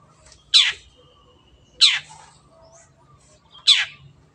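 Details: Training recording of a vigorous long-tailed shrike with a clear voice: three rough, buzzy screeches, each sliding downward, spaced unevenly over more than a second, against a quiet background.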